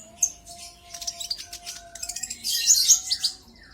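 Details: Brown-throated sunbird lure song to draw rivals into singing: a sharp opening note, then scattered high chirps building into a loud, dense burst of shrill twittering before fading, with a low steady hum.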